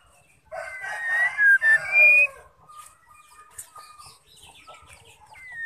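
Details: Female white-rumped shama calling, used to stimulate males to sing: a harsh buzzy burst followed by clear whistled notes rising and falling around the middle range, then faint scattered chirps and a final rising whistle.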